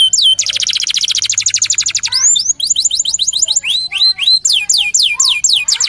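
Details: Local Indonesian canary song meant to provoke other birds to sing: a dense buzzy rolling trill followed by varied rising and falling whistled notes in quick succession.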